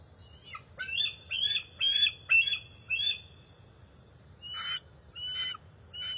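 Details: Juvenile bald eagles at a late fish feeding on June 30, 2021: a rapid series of high, thin, piping chirps, some falling in pitch, about two per second, broken by a short pause, then three more squeaky notes.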